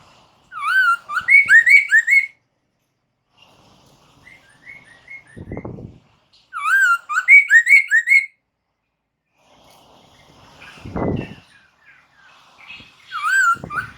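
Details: Captive-bird lure recording of white-crested laughingthrush: bursts of rapid, rich whistled phrases with harmonic overtones, each burst about two seconds, separated by pauses with soft low thumps and faint chirps.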